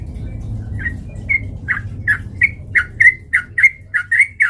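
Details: Male sooty-headed bulbul singing as a fight-provoking lure: short liquid whistled notes, some slurred up, some dipping, delivered at a quickening pace of roughly two per second, over a low background hum.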